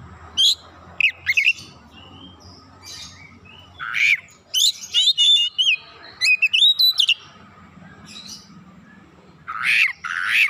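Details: Oriental magpie-robin (kacer) in constant, energetic song, pouring out its repertoire: loud, varied, sweet whistles and rapid trilled phrases, sharp chips and rising slurs, in bursts with short pauses between.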